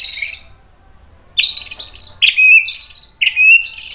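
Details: White-rumped shama training song: a fading trill, a quiet pause, then three loud phrases, each a sharp downward-slurred note leading into a steady whistle, about one a second.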